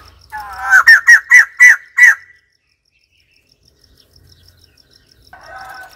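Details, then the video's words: A white-crested laughingthrush calls: a short rising chatter runs into five loud, hoarse, repeated notes in quick succession. Then comes a long quiet gap and softer chattering at the end, over faint steady ticking. "White crested laughingthrush call"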